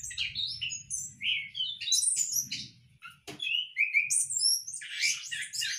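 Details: Orange-headed thrush kept for breeding in a hanging cage sings a rapid, varied run of high whistles and chirps, a sharp click midway, then more rising and falling whistled phrases; faint low hum beneath.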